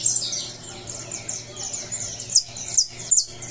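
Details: Saffron finch emerging from moult, recorded 20 July, giving soft high twittering that ends in three louder, sharp chirps, all over a low steady hum.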